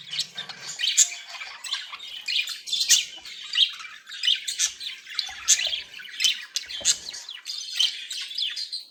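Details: Playful, happy budgerigars giving a steady stream of bright chirps and squeaky whistles in a high chattering warble.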